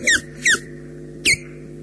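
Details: Osprey chirrups at the nest at RSPB Loch Garten, amid take-offs and landings: three sharp, whistled calls that drop steeply in pitch, two close together and a third after a pause, over a faint low hum.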